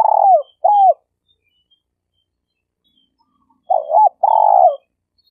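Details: Champion trapping decoy, a spotted dove. The clip opens on the tail of a phrase, a rolled falling coo and an arched note. After a long silence comes a stuttering double coo and a long trilled purr.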